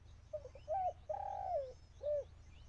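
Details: Caged decoy dove calling to lure wild doves during a bird-trapping session: a short stuttering coo, then a long, level, slightly falling coo, then one short rounded coo, all low and mellow, over a faint background hum.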